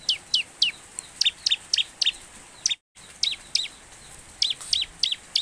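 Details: Bar-winged prinia singing vigorously, a fast run of high, sharp chirped notes, about three or four a second, with a brief gap partway through; recording used as a lure to prompt prinias to sing.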